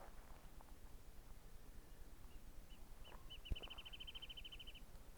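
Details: A wrentit on a hilltop near 6,070 ft in the Laguna Mountains, Cleveland National Forest, San Diego County, California, on 8 October, in autumn, gives spaced high piping notes, then a quick bouncing-ball trill, over low rumbling wind.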